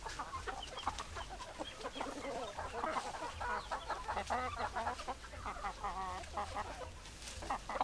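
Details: Hens clucking together in a busy chorus of overlapping, rapid, mid-pitched clucks and murmuring notes that run continuously without pause, with a steady low hum underneath.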